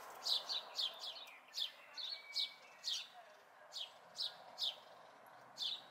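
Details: House sparrow fledglings at a local site in May 2020 chirping rapidly: a fast cluster of downward chirps at the start, then roughly one bright chirp every half second.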